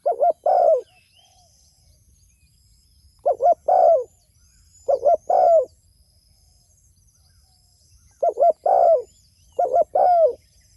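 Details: Spotted dove calling to fellow doves: four bursts of quick doubled coos, each ending in a longer, falling coo, spaced a few seconds apart, over faint distant twittering.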